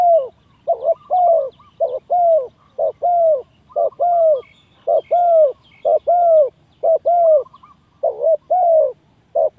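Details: Spotted dove calls played as a trapping lure: low, hollow cooing notes in quick, uneven runs, a short note often paired with a longer falling coo, repeated steadily throughout with little background noise.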